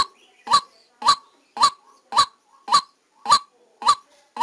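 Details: A white-breasted waterhen kept as a decoy, captured live while trapping: eight strident, clipped calls with a rising twist, evenly spaced a little over half a second apart, with near silence between.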